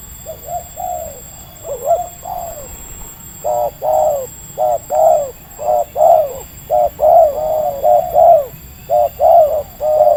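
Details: Medium-voiced wild spotted dove in Indonesia, quickly drawn in by a decoy bird: rapid run of short, evenly spaced coo notes, nearly one per second or faster, building after a brief hesitant start.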